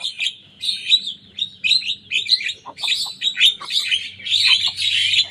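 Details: Young Javan myna in full song, copying rival birds' songs: a steady run of grating, buzzy chatter and squeaky notes with barely a pause, growing louder toward the end.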